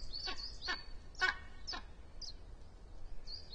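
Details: Two Iberian imperial eagles arrive at a black vulture nest in Sierra de Guadarrama National Park, Spain, announcing their arrival. Four harsh, hoarse barking notes come about every half second, followed by thin, high chirps from small birds.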